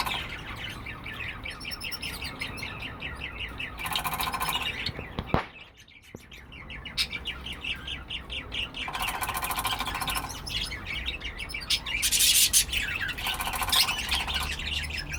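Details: Pet cockatiel calling with fast, uneven chirping broken by several long, harsh, buzzy squawks, a brief quiet gap partway through, then more rasping screeches and chatter.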